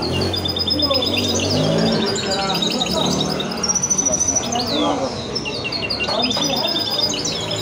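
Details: Goldfinch × canary hybrid (mule), offspring of a male goldfinch and a female canary, sings a continuous high twittering song of quick chattering and trilled notes over steady men's conversation.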